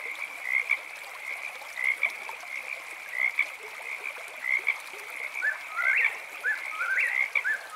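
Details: Frogs chirping in a steady high chorus at night, then an eastern whip-poor-will begins, giving several quick whistled, upward-sweeping phrases in the last few seconds.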